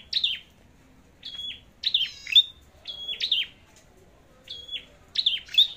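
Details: Red-headed flowerpecker singing a fighting song while being checked before a forest trip: loud high chips falling into short flat whistles, in phrases repeated every second or so, one with a buzzy rattle.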